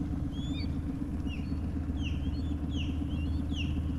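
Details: Osprey on the St. Johns River just north of Mullet Lake Park, Florida, giving short, high whistled chirps, some slurred downward, under the steady low drone of a boat motor idling at about 2.5 mph.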